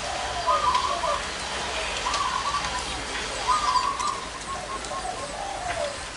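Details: Zebra doves with large and small voices gathered at one spot. Repeated trilled coo phrases about every one and a half seconds, each a purring roll followed by softer lower notes, with light outdoor background noise.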